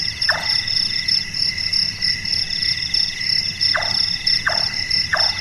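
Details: Night-active Large-tailed nightjar whose knocks are likened to carpentry: one chopping note, a long pause, then three more in quick succession, set against a continuous shrill insect chorus.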